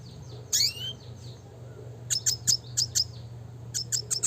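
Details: Red siskin, classic training song: a sweeping buzzy phrase with a rising slur, a quiet gap, then evenly spaced sharp high chirps, about four per second, against a faint hum.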